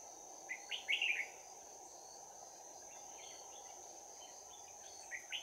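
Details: Trapped Red-whiskered bulbul decoy giving 'bell voice' fighting song on 11 January 2019: one loud, quick warbled phrase, then faint distant-sounding notes and a final short note at the end, over steady hiss and a high continuous tone.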